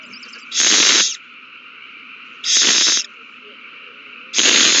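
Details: Nesting owls in a mouse-delivery frenzy, 21 March 2020: broad, hissing screams repeated roughly every two seconds, three bursts of similar length and loudness, over a continuous low hum from the nest camera setting.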